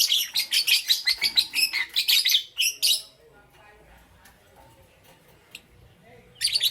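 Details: Morning lovebirds of Green Opaline and Parblue Euwing Green Opaline colours chatter in a fast series of shrill high chirps for three seconds, fall quiet, then chirp again at the end.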